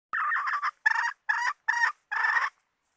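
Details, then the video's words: Hen call used as bait, five harsh, nasal notes with a rough, raspy tone, the first and last drawn out longer, separated by short pauses, with no other sounds. "Suab poj qaib seev zoo 100% 2020 / latest hen standard bait 100%. 2020"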